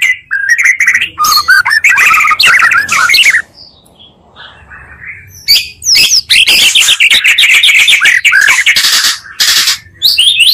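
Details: Oriental magpie-robin provocation song built from two voices: dense scratchy chatter and whistles, a short near-silent pause, then resumed loud buzzy, fast-paced warbling.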